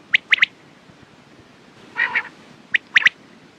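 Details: Quail giving three quick sharp notes, then a short harsh rasping burst after a pause, followed by further clipped double and triple notes.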